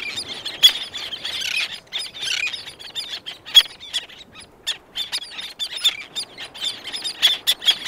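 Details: Close calls from several black-naped terns, with others in the distance and wing beats. Irregular high, scratchy chattering notes with sharp clicks are scattered across the recording.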